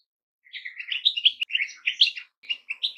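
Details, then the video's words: After a moment of silence, a goldfinch launches into a rapid, liquid twittering run of high chirps and twangy notes, ending in a few separate tweets. "Goldfinches - amazing song"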